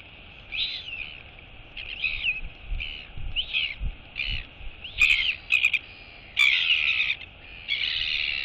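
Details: Royal albatross chick calling to its mother during a feeding visit, 23 August 2022. Warbling, wavering high notes come in irregular bursts, the later ones longer and harsher, with faint low thumps underneath.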